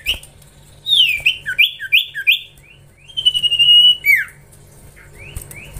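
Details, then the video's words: A young common iora being trained gives a quick run of slurred chirps, then a held whistle that bends sharply downward, and two brief rising notes at the end. "Gacorrr ngelatih cipow cipoh anakan"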